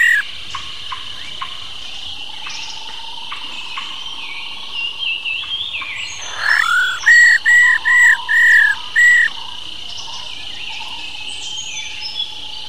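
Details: An old female black-throated laughingthrush from the wild gives a 'rò' call to rouse male birds: a long stretch of faint background notes and hum, then five loud harsh buzzy notes in a quick regular row.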